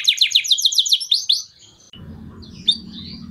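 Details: Canary singing to prepare females for mating: a quick series of high, falling sweeps repeated about four times a second for a second and a half, then a faint high note over low background hum.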